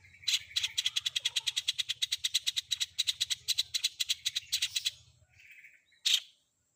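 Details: Long-tailed shrike, combination filler meant to make any shrike answer. A long, harsh, evenly pulsed rattle repeats about five times per second for five seconds, followed by one sharp chip. A low hum lies beneath.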